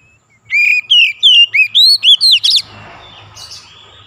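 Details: Magpie-robin 'gacor' song meant to coax a stuck bird into singing: a quick series of about eight loud, arched whistled notes, ending in a harsh burst, then soft background noise.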